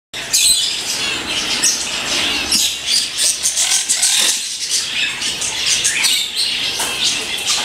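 A rosy-faced lovebird gives shrill, scratchy chattering squawks in quick, uneven bursts, with rustling and fluttering close by.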